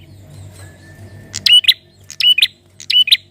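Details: Male prinia, kept to stimulate other birds into calling, gives three sharp, high chirping bursts about every 0.7 seconds, each a quick rattle of ticking notes; a faint low hum lies under the opening second.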